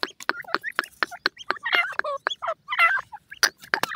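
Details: Grey francolin chicks peep and twitter: bent, hooked chirps, a few with wavering or doubled notes, mixed with irregular sharp clicks.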